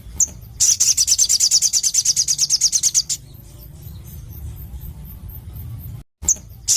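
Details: Crimson sunbird, known locally as sogon, singing a rapid series of high, thin chirps repeated about ten times per second for over two seconds, followed by a quiet pause and a few isolated sharp notes.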